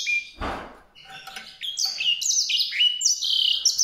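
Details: After a brief thump, a White-rumped seedeater sings a rapid, lively run of high slurred whistles that jump up and down in pitch, about four notes per second, growing louder toward the end.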